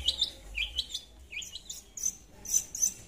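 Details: Long-tailed shrike in full voice, luring a rival with a jumbled, varied twitter of short high chirps and trills that jump between pitches, without a steady rhythm.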